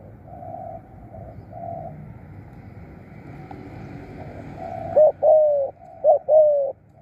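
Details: Decoy spotted dove cooing 'khu' and 'khrun'. Faint, distant flat coos under a steady rumble, then two loud close pairs near the end, each a quick wavering note and a longer falling note.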